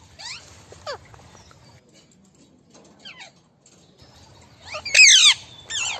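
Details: Group of parrots giving harsh, sharply falling screeches in separate bursts, the loudest cluster near the end, with quiet pauses between.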